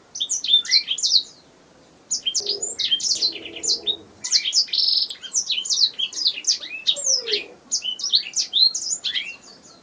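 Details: Canary chirping song meant as training material for cage songbirds: quick high sweeps in clustered runs, a brief silence near two seconds, a held buzzy note around five seconds, and faint low murmuring beneath.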